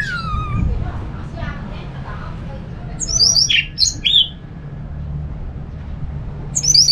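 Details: Orange-headed thrush from North Bali, Indonesia, used to stimulate other thrushes to sing: a faint falling whistle at first, then loud squeaky high notes with sharp downward slurs, and another high burst at the end, over low hum.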